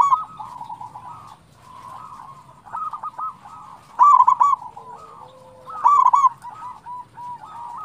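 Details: Local zebra dove in full song, used as a lure to draw other zebra doves and stir them to sing: soft mellow coos interrupted by two loud rolling, bubbling trills, with a low hum underneath.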